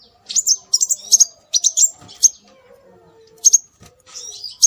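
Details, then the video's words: Lure recording of scarlet minivet: short, sharp, high whistled notes in quick clusters, then a silent gap before more notes. A soft low tonal line runs in the background. "Suara Burung Sepah Raja"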